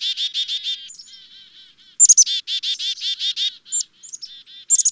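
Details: Black-capped chickadee calling steadily: quick strings of raspy, buzzy 'dee' notes, broken twice by sharp, very high introductory chips, then softer, quieter buzzy notes in between, with no other sounds.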